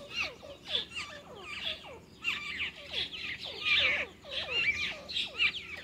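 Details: Bulbuls, a male feeding food into his female's mouth, giving bright, chattering chirps with slurred, falling notes in quick bursts about once a second, often overlapping as if from more than one bird.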